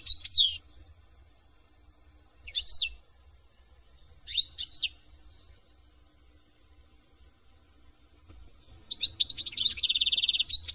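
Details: Goldfinch in France giving spaced, sharp descending high notes, three separate calls about two seconds apart, then a burst of fast twittering with a buzzy trilled section at the end; otherwise quiet.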